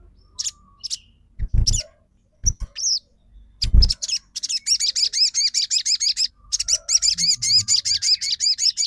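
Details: Crimson sunbird song used as a lure to make other sunbirds sing and respond: after a few scattered chirps and low thuds, a fast run of high, sharp twittering notes repeats steadily for several seconds.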